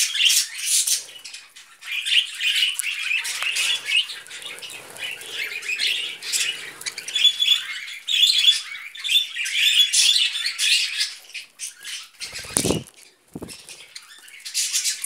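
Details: Budgerigars eating vegetables chatter nearly nonstop for fifteen seconds, rapid scratchy warbles and whistled squeaks, with a couple of low knocking thuds toward the end.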